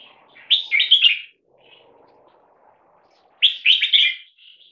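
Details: Loudness test of a 1.5-year-old caged bulbul crossbreed, three-quarters red-whiskered with stripe-throated blood: two loud, rich, bubbling whistled phrases about three seconds apart, with a faint low murmur between them.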